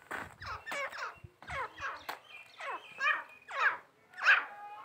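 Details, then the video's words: Grey francolin, a kept bird, gives a series of harsh, rasping, descending notes, about ten in five seconds, each a short scratchy phrase with rising loudness toward the end. "my grey francolin"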